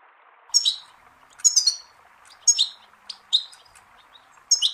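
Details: Goldfinch song from a tape used to teach young songbirds. Bright twittering bursts of high, liquid and slightly buzzy notes come in phrases roughly once a second, with short pauses between them. The background is quiet.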